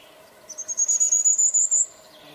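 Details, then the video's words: Blackburnian warbler from Bogor singing one very high, thin song: a quick series of pulsed notes rising slightly in pitch over about one and a half seconds, over a low steady background hum. "Burung Blackburian Warbler"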